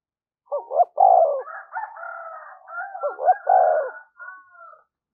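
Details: A lure spotted dove calls to draw wild doves, with two cooing phrases of quick hooked notes followed by a full deep coo, overlapped by a long rooster crow.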